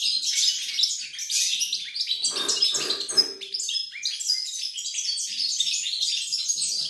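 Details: European goldfinch (pied) song from 28 November 2020: fast tinkling twitters and buzzy trill fragments running on continuously, with a few short lower rustling bursts partway through.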